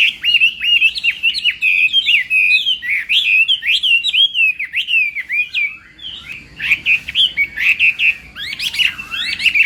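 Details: Contest-style morning song of a Chinese hwamei practising its voice: a lively string of varied whistled and slurred notes, roughly two per second, with a short dip in volume before vigorous phrases resume.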